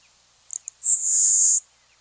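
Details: LeConte's Sparrow, a prairie marsh bird, gives a very high, quiet song that carries only about 50 m: a few quick ticking notes, then a thin, grasshopper-like buzz held about three-quarters of a second.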